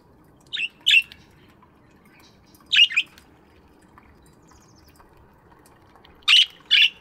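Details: Morning aviary budgies chirping in paired bursts: two harsh chirps, a gap, two more, then a final close pair, over faint background hiss.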